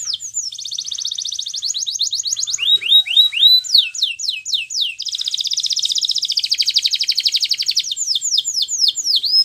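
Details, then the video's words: Russian canary singing: fast buzzy trills alternate with series of high downward-swooping whistled notes, roughly four per second, then a long rapid rattling trill and more swoops. "Russian Canary Singing !! Canary Bird Song"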